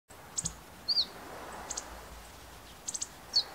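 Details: Meadow bunting recorded with a compact digital camera: a few short, sharp, high chips in small clusters, with a thin downslurred note near one second and another near the end, over a steady soft background hiss.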